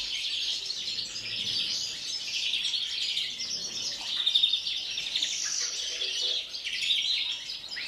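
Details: Before the breeding season, a captive European greenfinch pours out rapid twittering song with trilled phrases, peaking in volume around four seconds.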